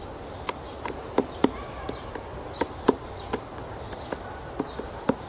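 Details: Female black woodpecker in Kalinovsky forest park, Yekaterinburg, near houses, pecking pine roots for bark beetles: irregular sharp knocks, about a dozen in five seconds, with faint distant birds in the background.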